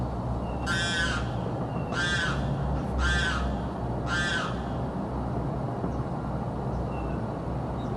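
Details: Screaming bird heard constantly day and night in South Florida, giving four loud, raspy, downward-arching squalls at roughly one-second intervals over a continuous low-frequency background hum.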